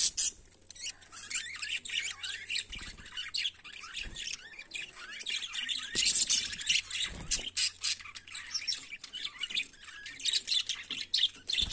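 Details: Budgerigars in the morning: dense, continuous high chattering and warbling twitters with scratchy chirps throughout, over a low steady hum.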